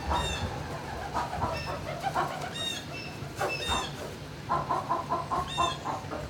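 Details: Barn turkeys on 26 March 2019, midday: a quick burst of evenly spaced clucking pulses in the second half, amid scattered chirps of other birds and low barn rumble.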